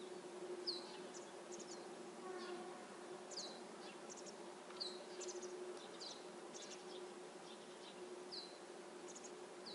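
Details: Begging masked wagtail fledglings that have left the nest and sit calling for food while their mother brings insects; short, sharp, high-pitched chips scattered through the clip above a constant droning hum.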